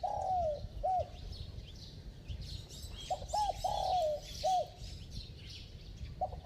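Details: Bell-voiced cooing of a spotted dove. A drawn falling coo and short note, a pause, then a full phrase of quick hoots, a long descending coo and an end note. A fresh phrase starts at the close, with high background chirping.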